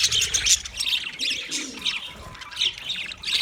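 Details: Several budgies chattering nonstop, a busy tangle of high chirps and scratchy warbles in uneven bursts, with a soft low hum in the background.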